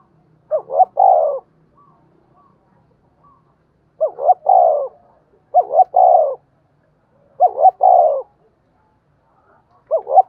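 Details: Spotted dove, 'giọng đồng' voice style, used as a decoy to provoke wild doves of the 'giọng thổ' type. Five repeated coo phrases, each a quick doubled rising note then a longer falling coo, spaced roughly every two seconds, clean background.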